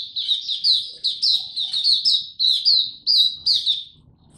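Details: A male white-eye practising its still-maturing song, recorded 9 February 2022: lively sequence of high, clear chirps that swoop downward, delivered in quick bursts for about four seconds against a quiet background.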